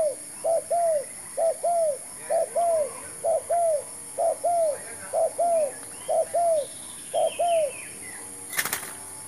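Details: Spotted dove kept as a decoy for trapping gives a long run of mellow coos: about eight phrases, each a clipped double note then a longer descending coo. Faint chirps from other birds, then a sharp click near the end.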